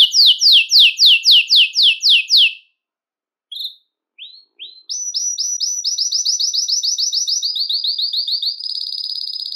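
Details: Belgian canary song aimed at exciting males and bringing hens into breeding condition: loud descending sweeps repeated evenly, a pause with a few scattered notes, then long rapid trills of high bright chips.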